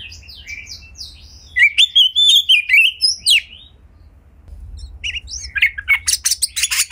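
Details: Kacer, the Oriental magpie-robin, in gacor song meant to prompt other magpie-robins to sing: scattered high chirps, then a bright wavering whistled phrase, a short lull, and a fast burst of sharp, rattling notes.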